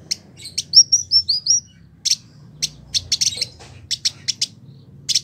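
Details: A year-kept village indigobird from West Java, Indonesia, in active song mixes sharp high chips with a short run of five clear whistled, down-slurred notes, followed by more irregular chipping.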